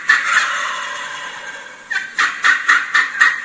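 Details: Excited yelps of a Wild Turkey hen, which falls silent and listens each time a gobbler gobbles. A long, rough, steady stretch opens the clip, then a run of sharp, raspy yelps in quick succession toward the end.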